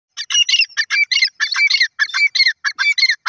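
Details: Grey francolin in a forest: loud, harsh, scratchy notes in dense bursts repeated about three times a second, each burst a grating mix of rasping tones with brief gaps between, and no other clear sounds.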